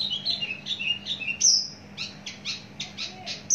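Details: Long-kept, mature caged Javan bush lark with a very large body sings a run of high, clipped chirps and short sliding whistles, some falling, in quick irregular succession, one sharp piercing note in the middle.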